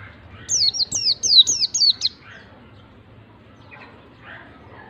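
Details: White-eye singing as bait to trigger a reluctant bird: a quick series of five high, downward-slurred whistles, then near silence with faint distant chirps.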